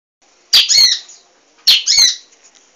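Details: Munia, an emprit in full active song, used as a training recording for cage birds: two loud, harsh, buzzy chirps about a second apart, each a quick rising-and-falling squeak, with near silence between.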